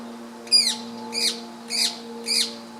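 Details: A female rose-ringed parakeet (Psittacula krameri manillensis) perched on a tree branch, apparently feeding, gives four harsh, screechy calls that drop in pitch, about every half second, over a steady low background hum; recorded 18 April 2015.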